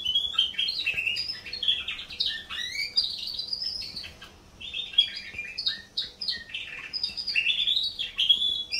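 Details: Canary singing a long, fast run of bright chirps, trills and rolling whistles, pausing briefly near the middle before carrying on.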